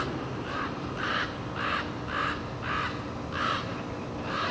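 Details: Common raven, agitated, defending its nest beside a climbing path; harsh croaking caws repeated roughly every half second to second in a steady series, outdoors with faint background hiss.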